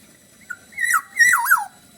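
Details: Bali-style song of a black-naped oriole: a short soft note, then two loud, mellow, warbling whistle phrases, each wavering up and down before falling away.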